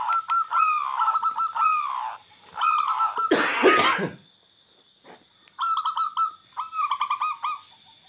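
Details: Local wild-type zebra dove (perkutut lokal alam) singing to provoke rivals and raise breeding drive: bursts of rapid stuttering cooing notes, broken midway by a loud human cough and throat clearing.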